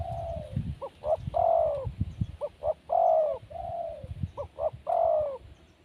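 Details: Wild spotted dove giving three phrases in a row, each a soft drawn-out coo, two quick clipped notes and a strong sustained coo that drops at the end; low background hum.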